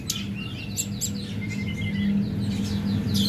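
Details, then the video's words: Mountain prinia singing: thin high chirps and downslurred whistled notes at 3–8k, with a level whistled note near 2k around mid-clip, over a steady low hum. "tledekan gunung gacor"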